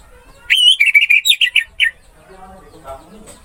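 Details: Orange-headed thrush masteran song: one rich phrase of about nine quick, rolling whistled notes, then a soft murmur of distant background sound.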